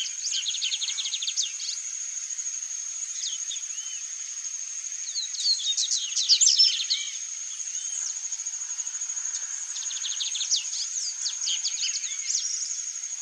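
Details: A wild, free-living chalk-browed mockingbird, whose repertoire imitates other species, sings a varied run of quick chirps, whistles and scratchy notes in bursts, over a steady high insect hum.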